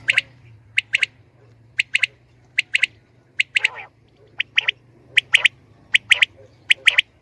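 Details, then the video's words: Common quail hen calling, crisp double notes repeated roughly every second with one grating, rasping burst near the middle, against a steady faint low hum. "Batair Ki saf Awaz | Saaf Awazay Batair Ki shikar ki liye| Batair Ki Awaz| FEMALE QUAIL SOUNDS 2020"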